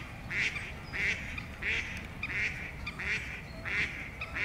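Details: Female tufted duck, the diving duck of South Holland waters in winter and spring, giving a steady series of short, hoarse, nasal calls, roughly seven in four seconds, with a low rumbling background.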